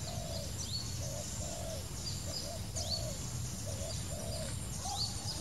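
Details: Wild spotted dove (Spilopelia chinensis) cooing: soft, low coos in short paired and triple phrases, with thin high chirps of other birds and a steady low rumble underneath.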